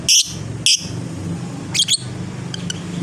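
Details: Fighter lovebird giving shrill high chirps: two loud squeaks, then a quick double note and faint ticks, against a humming background with a low murmur.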